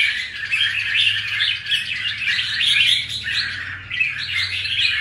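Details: Newly moulted wild-caught red-whiskered bulbul in a cage pours out fast, jumbled chirps and warbles with a faint low hum underneath.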